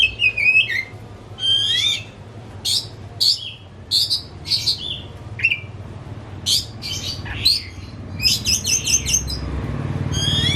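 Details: Pet white-rumped shama, fed crickets and pellets at home, delivers loud clear whistles, sharp chips and rapid repeated notes in energetic, well-spaced phrases.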